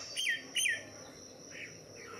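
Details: Common myna, seen from a window, gives two loud, quick, downslurred whistles about half a second apart, then two fainter ones, over a steady high insect hiss.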